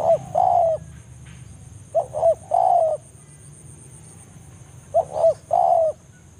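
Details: Spotted dove in forest calling a rival, used as a trapping lure: three well-spaced phrases of two short notes and a long coo, with quiet pauses and a steady high hum.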